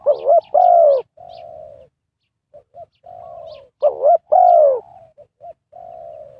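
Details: Decoy spotted dove calling to attract wild doves into a trap. It utters repeated phrases: a wavering two-part note, a strong falling coo, then a softer level trailing coo, with faint chirps above.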